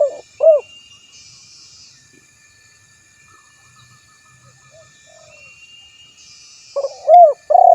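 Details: Spotted dove calling to rivals for luring: brief coos at the start, a long quiet gap with faint distant notes and insect buzz, then another cooing phrase with a drawn-out coo at the end.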